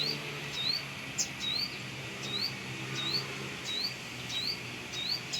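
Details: Brown-throated sunbird near its nest by a house, calling vigorously: bright, rising chirps repeated about every half second to second, with a low hum and faint background noise underneath.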